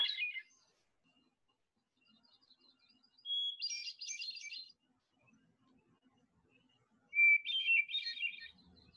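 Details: Hermit Thrush, Vermont's state bird, sings separate flute-like phrases a few seconds apart, each a clear held whistle followed by a rippling, echoing flourish, pitched differently each time, against a quiet background.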